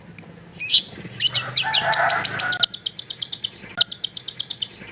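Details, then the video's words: Long-tailed shrike recorded at a home in a crowded neighbourhood. It opens with scratchy, jumbled notes, then gives a rapid, even run of high clipped notes repeated several times a second. "CENDET MALAS BUNYI LANGSUNG NYAUT"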